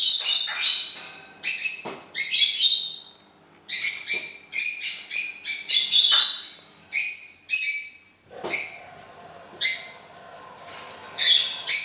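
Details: Pet parrot at home, said to be singing Happy Birthday to its owner on her birthday: a run of about a dozen harsh, raspy squawking bursts, each short and bright, separated by brief gaps.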